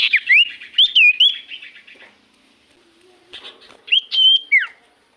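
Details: Common iora song used as a lure so that quiet birds answer at once: clear slurred whistles, rising and falling, in two bursts separated by a near-silent gap, ending with a downward-sliding note.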